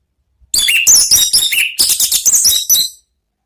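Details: Orange-headed thrush, "ngeplong" song for luring and therapy of kept birds: a continuous rapid stream of loud, varied warbles, trills and whistled slurs lasting about two and a half seconds.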